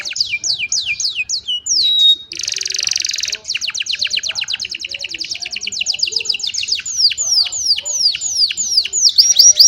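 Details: Young canaries singing to train other canaries, cellphone recording: a loud run of fast descending whistled notes, a sustained buzzy trill, then long series of rapid repeated downward sweeps, clean background.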